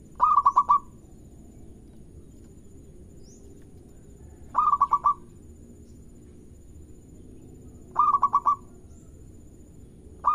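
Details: Singing local zebra dove, used to coax other birds into song: four phrases about three and a half seconds apart, each a rapid stutter of soft cooing pulses closing on a smooth sustained note.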